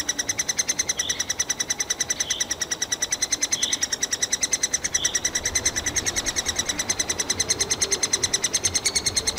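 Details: Three-toed woodpecker nestlings inside a tree hole in Kalinovsky forest park, Yekaterinburg, begging for food: a continuous, shrill, evenly pulsed squealing, about three notes per second, with occasional soft higher whistled notes over it.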